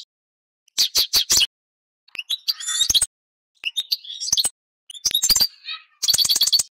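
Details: Song of a European goldfinch, delivered as short clusters of sharp high chirps and liquid twitters with buzzy slurred notes, each cluster broken by a clear pause.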